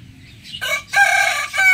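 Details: Close, loud rooster crowing in the morning, heard as three harsh, rich bursts, the middle one longest and held, with a brief gap before it.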